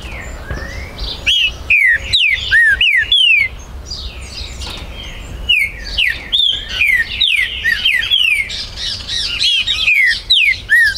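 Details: A captive Green-winged saltator, recorded 19 September 2020 at a breeder's premises, sings loud, rich whistled phrases of several slurred notes that swoop up and down, repeated with short pauses; faint high chirps behind.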